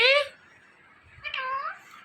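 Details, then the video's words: Talking Indian ringneck parakeet utters two nasal, harmonic word-like calls, the second longer with a dip and rise in pitch, separated by a quiet gap. "Indian Ringneck Talking Parrot"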